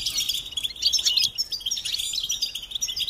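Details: Goldfinch twittering for training chicks: a brief, busy run of high chirps and tinkling trills, fairly even and continuous.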